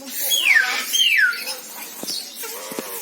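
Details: Eclectus parrot making two clear, descending whistles in quick succession, followed by a few soft clicks and faint chatter.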